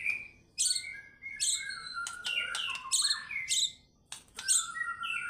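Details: White-rumped shama pouring out its repertoire in fighter style: steady high whistles, clipped sharp chips and descending slurred notes, in loud bursts with short silences between.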